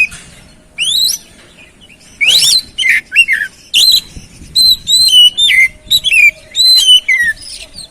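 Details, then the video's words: Oriental magpie-robin singing to stimulate another bird that is quiet or stressed. A varied run of whistles starts with rising notes, then repeated level and falling whistles come in quick succession. "Pancingan Burung Kacer Atasi Macet Dan Stres Kurang Gacor"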